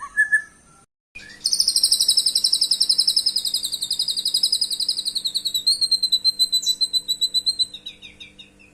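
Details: White-rumped shama, a lure song to provoke birds into replying: after a short whistle, a long, fast, very high rattling trill of evenly repeated notes runs for about six seconds and slowly weakens.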